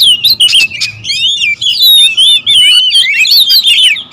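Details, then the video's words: Several agitated oriental magpie-robins, a territorial species, calling at once: loud, continuous warbled whistles sweeping up and down, interwoven fast trills and harsh notes, brief pauses between bursts, faint low hum in the background. "KACER RIBUT, memancing serta menaikkan emosi kacer agar cepat gacor & menaikkan mental burung kacer"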